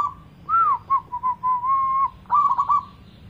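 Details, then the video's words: Zebra dove singing, offered as a lure to make a mute dove sing: a rising whistled opening, several short clipped notes, one long steady coo, then a fast, fluttering phrase. "cocok buat pancingan perkutut gaguk"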